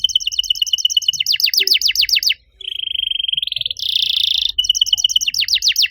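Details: Canary singing master song to coax other canaries back into song; fast downslurred chirps, a lower steady trill, a loud buzzy roll, then quick sweeping notes again.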